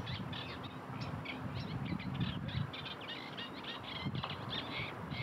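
Eurasian tree sparrows chirp busily, short bright notes tumbling several to the second over a steady low rumble of wind or distant traffic.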